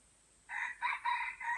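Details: Aceh junglefowl, an F1 bird with white legs, crowing a clipped four-part phrase: a short hoarse note, a higher accented one, then two longer notes, the last trailing off, over faint background hiss.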